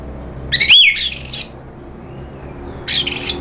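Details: Excited orange-headed thrush, stirred by a lure recording, giving two harsh, rattling bursts about a second long, mixed with bright whistled upslurs, roughly two seconds apart in a quiet room.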